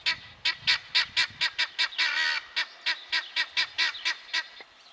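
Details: Helmeted guineafowl calling with evenly spaced, harsh, buzzy notes, about three per second, broken midway by one longer drawn-out rasp.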